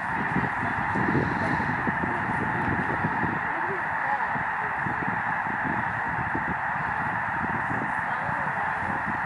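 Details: Canadian Snow Geese in a migrating flock on Lake Springfield, Springfield, Illinois, taken from Lincoln Memorial Garden; a continuous wall of honking calls, individual nasal honks now and then standing out from the din.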